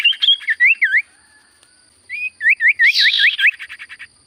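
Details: Common iora singing actively: a bright run of short whistled notes, some rising and some dipping in V shapes, in two bursts separated by a pause, ending with a quick series of softer repeated notes.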